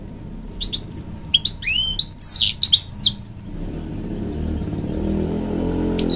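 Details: A hybrid goldfinch from a canary and goldfinch cross sings to encourage young chicks, with high whistled and chirping notes for three seconds before a steady low rumbling noise takes over.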